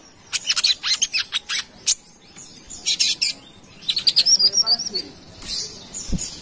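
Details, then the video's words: Brown-throated sunbird, Kalimantan, singing lively as a lure for other birds. Rapid series of sharp, high chips in quick clusters, followed by a twittering phrase of rising squeaky notes and a few soft chirps. "Kolibri Wiceh Gacor / Pancingan Burung Manggar Kelapa"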